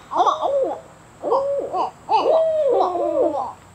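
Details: Juvenile barred owls learning to call: three bursts of excited, cackling hoots, the last with a long wavering wail trailing downward, several voices overlapping.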